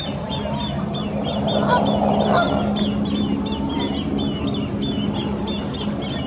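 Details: A great crested grebe family from the Serpentine island passes its nest site with three chicks in full cry: high, thin begging pipes about three times a second, over a steady low hum and one splashy burst.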